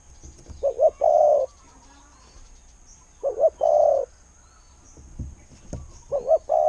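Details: Spotted dove, a decoy bird with a "ku-ang" coo style, calling in phrases of two quick low notes then a long, slightly wavering coo, repeated about every two and a half seconds, with faint background chirps.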